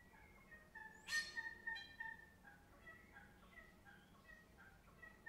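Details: Dawn bird chorus in Melbourne, Australia: clear, steady, harmonic notes held and repeated, broken by one sudden loud harsh burst near the second mark, then softer overlapping calls over a quiet background.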